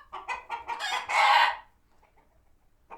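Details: Chickens in a farm sanctuary, alert after a hawk sighting; a string of quick clucks building into one long loud squawk, then near silence and a faint final cluck.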